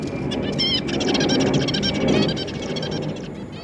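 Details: Newly hatched and juvenile Zebra finch chicks in a cage, fed by busy parents, beg with a fast, scratchy chitter of short buzzy notes, about three a second, over a steady low rumble of background noise.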